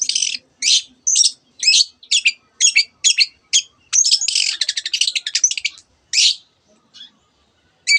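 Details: Long-tailed shrike giving a string of evenly spaced harsh chirps about twice a second, then a fast rolling trill, part of a song mimicking canary and various other birds.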